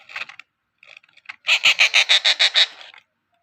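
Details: A hungry hand-fed rose-ringed parakeet chick, deliberately fed only a little, begs with a rapid run of about eight harsh, raspy, loud squawks after a few softer scratchy notes.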